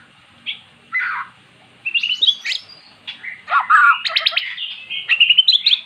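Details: Magpie-robin, a normally silent bird, singing after being lured with recorded magpie-robin song: varied short whistled phrases, slurred and buzzy notes, and quick chattering trills at irregular intervals in a quiet setting.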